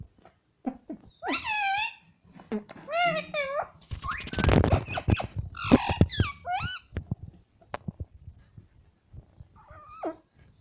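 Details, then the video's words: Pet parrot talking indoors with wavering, rising voiced syllables and clicks, partly masked by a loud rustling burst of handling noise in the middle. "parrot talking everything"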